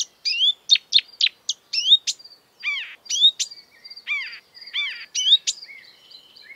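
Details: Lively marsh warbler imitating European and African birds with varied whistled swoops, nasal upslurs and quick chirps, each phrase different, delivered in rapid bursts.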